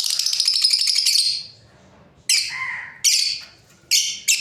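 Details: High, rapid chattering from a breeding pair of lovebirds for over a second, then a few separate sharp chirps with brief descending tails, spaced by short silences.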